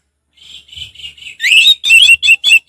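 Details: Orange-headed thrush singing relaxed ngeplong: soft buzzy notes building into loud rising whistles and a series of sharp, ringing repeated phrases.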